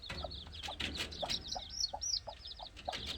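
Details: Chicken chicks playing, peeping in a busy chorus of high, thin chirps, several birds overlapping with rising and falling notes, plus soft low clucks.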